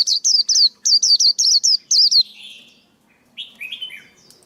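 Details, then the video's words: Male white-eye song, a training and trapping-lure recording: quick clusters of high, falling chirps for two seconds, then softer, lower trailing twitters and a few scattered slurred notes. "KHUYÊN TRỐNG. Tiếng chim khuyên kích bổi, kích trống, luyện giọng bổi, bẫy khuyên"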